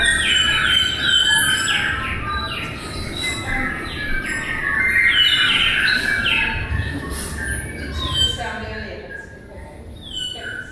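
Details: New Zealand bellbirds in midwinter, males, females and juveniles, sing together around a food source to communicate with each other. The result is a dense chorus of clear, ringing and chiming notes with quick overlapping phrases over a low rumble.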